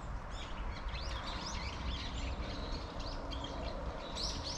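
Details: A flock of Eurasian tree sparrows gathered in a persimmon tree chirps together, with quick, overlapping chirps scattered throughout over a steady low rumble of background noise.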